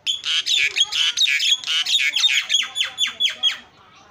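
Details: Energetic Javan myna song with filler phrases, used as a lure: a steady chain of about a dozen harsh, buzzy squawks, each carrying a thin whistled tone, repeated roughly three times a second before stopping.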